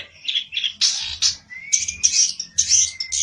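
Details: Olive-backed tailorbird, known as pelentet, aroused and seeking an opponent, delivering bright, harsh high bursts in short groups while a thin, steady whistle-like tone runs underneath.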